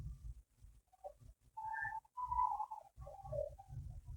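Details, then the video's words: Distant Indian peafowl heard from a resort beside Gorumara forest in the Dooars give loud, drawn-out, nasal wailing calls in a run of several notes over about three seconds, with other birds calling and low rumbling wind or handling noise. "এটি হল ময়ুরের ডাক।"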